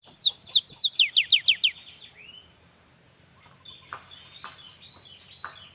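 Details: Young cinereous tit in full song, used to stir lazy tits into singing: a quick run of about eight bright, descending whistled sweeps, followed by softer scattered chirps and faint background rustle.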